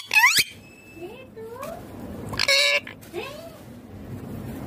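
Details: Green Indian ringneck parakeet talking: a loud harmonic burst near the start, then soft rising syllables and a dense buzzy phrase midway, with quieter gliding notes after it.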